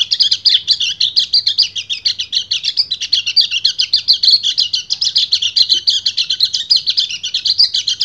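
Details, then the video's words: Male white-eye in breeding condition giving its long 'ngebren' song to call a female: a dense ribbon of thin, rapid chirps and trills, steady and unbroken, with a faint low hum. "PLECI GACOR NGEBREN - KECIAL KUNING BIRAHI MEMANGGIL BETINA"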